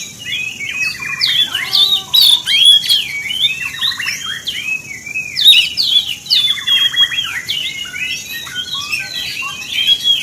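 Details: Oriental magpie-robin song used as a lure to provoke other magpie-robins of any kind: a fast, varied stream of sweet whistles, slurred up-and-down notes and rapid trilled rattles, in dense bursts with brief pauses and a faint steady hiss.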